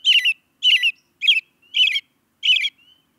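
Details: American robin calling: five harsh, chattering notes about half a second apart, each a rough burst with a bright core slurring down, separated by silence.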